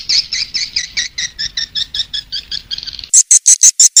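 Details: Lure call for attracting swiftlets: a rapid run of buzzy double-toned chirps, about three each second, switching near the end to a few louder, sharper, higher-pitched clicks.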